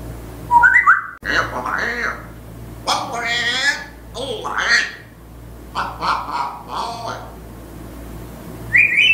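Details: African grey parrot, described as very bold, saying phrases indoors; squawky, duck-like syllables with speech-like vowel sounds in bursts, a rising whistle near the start and a sharp high note at the end, steady low hum underneath.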